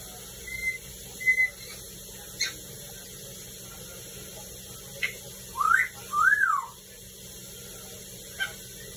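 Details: Grey parrot (Psittacus erithacus), whistles.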